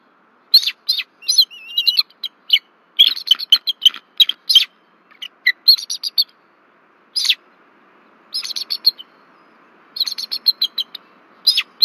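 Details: Bald eagle pair at their nest tree at Berry College, Rome, Georgia, on 1 February 2024, caught on a nest camera calling in alarm as an intruder flies over. Rapid high, thin chirping bursts come in repeated staccato series with short pauses between.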